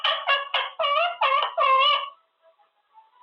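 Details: Male Quaker parrot in his cage practising new words, delivering a quick series of six or so harmonic, speech-like syllables in a steady rhythm before falling quiet.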